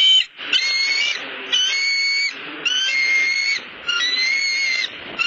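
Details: Hungry Bald Eagle, Harriet, at a Southwest Florida nest, gives a series of five thin, high, drawn-out whistled whines, each about a second long, repeated almost without pause.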